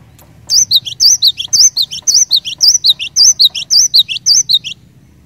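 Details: Cinereous tit in full song, used to trigger other cinereous tits to sing: about nine quick high phrases of a twisting whistle followed by two lower sharp notes, rhythmic and loud, with a faint low background hum.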